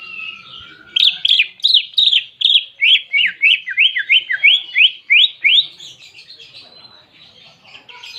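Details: Greater green leafbird singing with canary imitation: a low steady whistle, then a rapid string of bright, steeply falling notes, slightly varied and quickening, fading into softer chatter.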